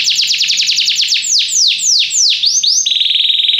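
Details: A Belgian canary sings to train other canaries, running quick falling whistles that slow into broad swooping notes, then breaking into a steady rapid buzzy trill.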